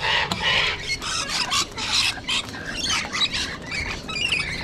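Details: Sulphur-crested Cockatoos in Sydney, Australia, with Rainbow Lorikeets nearby: a dense run of harsh, raspy screeches and squawks overlapping one another, loud and unbroken for several seconds with brief gaps.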